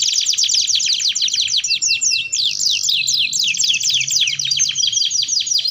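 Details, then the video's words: Canary singing steadily, recorded as a lure to help canaries learn their song: dense rattling trills of fast descending notes, tempo shifting between rolls, without any break. "Kenari Gacor Dor || Ampuh Untuk Pancingan Kenari Belajar Bunyi"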